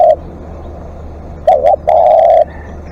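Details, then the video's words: Live decoy spotted dove calling at length, with the end of one coo heard first. Then comes a short wavering double note and a long, even, low coo. There is low background hum. "เสียงนกเขาใหญ่ ต่อสดเรียกยาวๆ"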